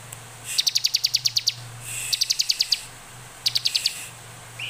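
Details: Bar-winged prinia in full, energetic song used as a lure to get other prinias singing: rapid bursts of sharp, high ticking notes, eight to ten per phrase, separated by short pauses, with a faint low hum underneath.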